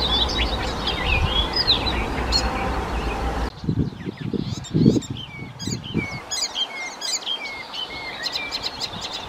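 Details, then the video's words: Icterine warbler singing in the Czech Republic: a varied, rapid medley of high whistled slurs, chirps and harsh buzzy notes, with a cut partway through and low rumbling background noise. "Sedmihlásek hajní (Hippolais icterina)"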